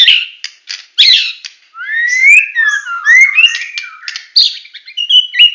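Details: White-rumped shama, the Medan type, in a full, continuous song: varied whistled phrases, rising and falling slides, sharp chips and buzzy bursts in quick succession, with no other sounds.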